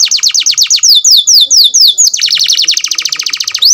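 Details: An F1 canary sings a loud, rapid series of high downslurred whistles, then switches to a fast, even rattle of short notes, with no other sounds.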